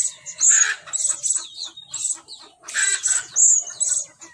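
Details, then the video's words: Decoy blue-crowned hanging parrot in action, luring wild birds: shrill, piercing high-pitched chirps in short dense bursts, two main groups separated by a quiet gap near the middle. "Denak Burung Serindit Dada Merah Beraksi Memikat"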